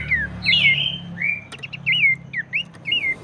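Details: Abbott's babbler song aimed at rousing other babblers to sing: clear, ringing whistles, some falling and some curling upward, repeated about every third of a second after a longer warbled opening.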